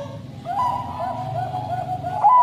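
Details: Bangkok crossing zebra dove, caged bird kept for song, giving a long 'sad' cooing song: a steady low tonal note that begins about half a second in, with soft bubbling rolls on top and a sharper accent near the end; faint background hum.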